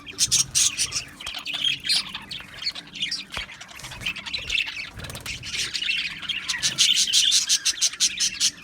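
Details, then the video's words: Colony of Australian budgies in an aviary, many birds chattering at once in busy, squawky, high-pitched chirps and warbles, continuous throughout, over a low steady hum. "Beautiful Australian Budgie birds Chirping Sounds | Budgie birds sounds"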